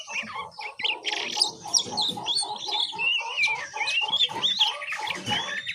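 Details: Oriental magpie-robin juvenile learning ngiriwik singing: high twisting twitter and scratchy notes over a steady run of lower clucking pulses, about three per second, from another bird.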